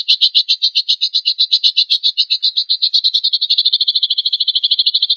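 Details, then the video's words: Lovebird in harsh 'tembakan kasar' burst song, meant to trigger singing in other lovebirds: a continuous rapid high-pitched chatter that gradually tightens into a faster, more even trill. "PANCINGAN AMPUH LOVEBIRD GACOR FULL ISIAN MASTERAN KOMPILASI MATERI TEMBAKAN KASAR BURUNG JUARA"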